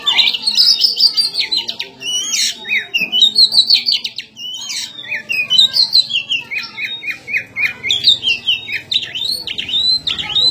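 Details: Kacer, an Oriental magpie-robin, singing in ngobra style during a fight. Rich, varied phrases of clear whistles, sliding notes and short trills come in bursts with brief gaps, over a soft low rumble.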